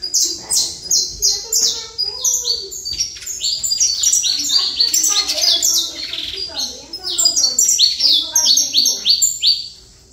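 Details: Trator-style song of a saffron finch, a nearly continuous stream of loud, piercing, descending chips delivered in quick trains, with faint lower notes underneath and a short dip in loudness near the middle.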